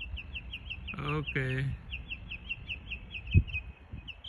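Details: A mockingbird, copying other birds, repeats rapid high chirps throughout, while a person briefly speaks over it and a single thump sounds near the end.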